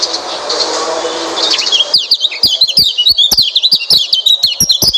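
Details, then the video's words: Song of a white-eye, played to prompt a quiet bird to sing. After a hissy start comes a lively, unbroken stream of high, wavering chirps and sharp clicks for about three seconds. "Coba masteran burung pleci ini | pancingan burung pleci malas bunyi"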